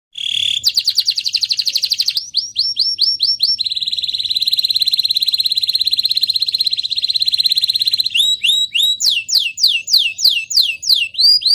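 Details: Young caged canary, played to stimulate other canaries to sing, delivers a fast, unbroken song. It runs through rapid rattling trills, a long steady high buzzy roll, then sweeping upward whistled notes repeated several times a second.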